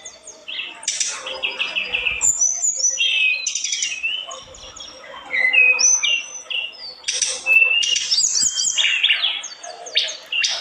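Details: Very vocal olive-backed tailorbird in a busy, nonstop run of high chirps, sharp whistles and short trills, with quick pitch jumps and barely a pause.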